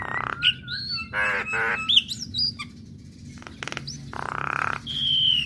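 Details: Female black-winged starling singing so other starlings respond, mixing harsh buzzy rasps with wavering whistles, short clicks and a thin high whistle at the end.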